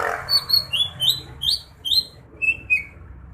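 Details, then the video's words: Song of a greater green leafbird: a varied string of high whistled notes, some held and some slurring down, about two per second, over steady low background noise. "Kicauan burung cucak hijau"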